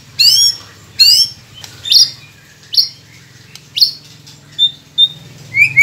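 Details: White-rumped shama song meant to coax silent captive birds into singing: sharp upward-sweeping whistled notes repeated roughly once a second, each brief and bright, over a steady low background hum.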